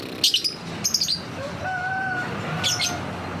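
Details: Lovebird ngetik lure call: quick high chattering notes in two short bursts, then a steady thin whistled tone held for about a second, followed by another brief chatter.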